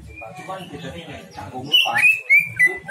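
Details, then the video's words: Greater green leafbird song used as a lure to draw out mimicked fills: soft chatter and murmuring give way to three loud, clear whistled slurs, each a brief bright downward-sliding note. "pancingan c,ijo bongkar isian"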